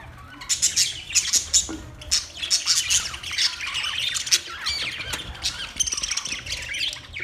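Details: Budgies chatter in a busy, high-pitched stream of squeaks, trills and sharp chirps, bursting in quick clusters with brief dips between them.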